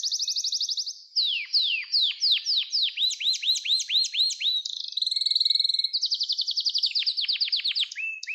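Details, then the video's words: Canary song recorded to train young canaries: a fast trill, a string of descending whistles, rolling rising-falling syllables, a steady buzz, another quick trill and closing low notes, continuous and clear. "Kanarya Sesi Ötüş Eğitimi 2021 | Kanarya Ötüşü ve Ötüm Eğitimi"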